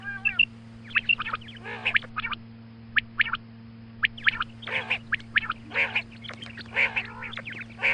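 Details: A female quail calls in the morning, used for hunts: rapid, rasping clicks and nasal squawking notes tumble in irregular bursts, growing busier toward the end, with a steady background hum.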